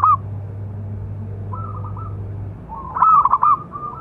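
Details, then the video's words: Zebra dove of a local type with a big voice, calling to provoke other doves: a brief loud note, soft rolling coos, then a loud stuttering coo phrase near the end, over a low humming drone. "Perkutut lokal suara besar istimewa"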